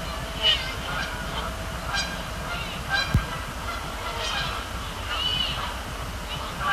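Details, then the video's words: A flock of Canada geese at Sapsucker Woods Pond, Ithaca, on the evening of 26 October 2017, flying over and splashing down, honk repeatedly in overlapping nasal calls every second or so over a steady low rumble. "Canada Geese"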